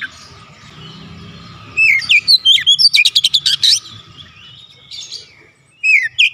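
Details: Oriental magpie-robin song used as therapy for a quiet bird: a burst of whistled slurs and rapid harsh chatter, a lull, then a few more whistles over a steady low hum.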